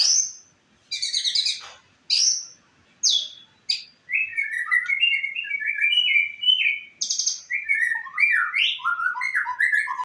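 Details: White-rumped shama singing, used as a master recording for training other birds: sharp high chips and buzzy notes at first, then a long flowing sequence of clear whistled phrases stepping up and down.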